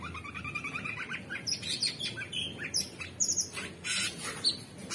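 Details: Orange-bellied leafbird singing in a lively stream: fast stuttering chirps at first, then sharp high whistled pips alternating with scratchy bursts.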